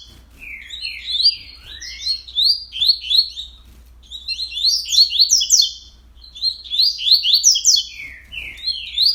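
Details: Early-morning coleiro, recorded 31 October at 06:30, delivering three dense phrases of fast overlapping whistles and sweeping chirps, each a couple of seconds long with short gaps between.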